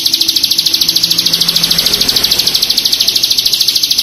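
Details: Bar-winged prinia (Prinia familiaris) song: a fast, even, high-pitched trill of about ten notes a second, running unbroken throughout, with a faint low hum beneath.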